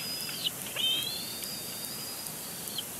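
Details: Bald eagle chick at a nest at Big Bear Lake, April 27, 2022, complaining loudly at its father during a tantrum; thin high whistled squeals, one short then one long drawn-out note, over faint background hiss.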